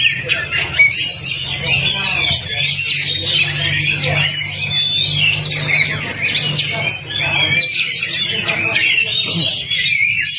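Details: Oriental magpie-robin master song for prompting a silent kacer: busy high chattering and whistled phrases packed tightly together, with a buzzing low tone running underneath for most of the stretch.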